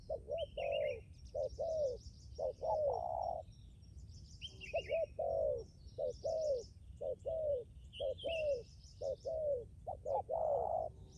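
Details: Hard-cooing decoy spotted dove calling in rapid two-note coos, a short note then a longer descending one, sometimes held longer, over continuous busy chirping and trilling of small birds.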